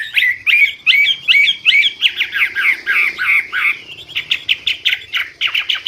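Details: Hwamei (wambi) in loud song: rapid repeated chopped notes, each a quick rising-and-falling whistle, followed by a harsher, faster rattling series.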